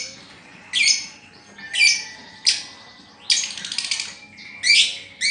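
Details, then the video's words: Pet lovebird, described as moulting with a broken-down song, giving a few separated harsh, raspy high bursts, one a longer rattling chatter, with quiet pauses between. "Lovebird ambrol /mabung konslet"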